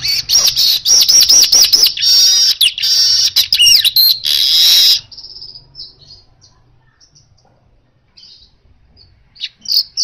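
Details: Asian golden weaver (Ploceus hypoxanthus) in full natural song: a fast, harsh chattering song with wavering high whistles and buzzy bursts for five seconds, then near silence with a few faint chirps.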